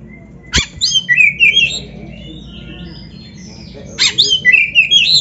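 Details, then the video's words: Oriental magpie-robin tutor song for training caged birds: two short bursts of whistled, slurred phrases, each starting after a sharp click, separated by a three-second gap of near silence. "Suara Burung Kacer yang Cocok Buat LATIHAN"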